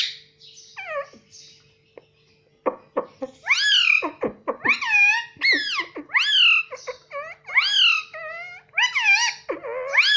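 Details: Pet Indian ringneck parakeet talking indoors, repeating mitthu mitthu: rapid strings of loud, high, nasal, arched syllables with rich overtones, about every half second, preceded by a few clicks and a faint hum.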